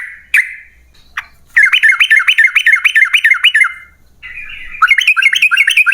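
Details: A yellow-vented bulbul in full song, the 'ropel panjang' type used as a lure for other bulbuls: a sharp note, then a fast wavering trill that pulses steadily, pauses, and resumes.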